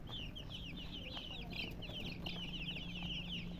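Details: Chirping from colour chickens, many quick high peeps tumbling over one another in a busy, continuous stream, with a constant low electrical-sounding hum beneath.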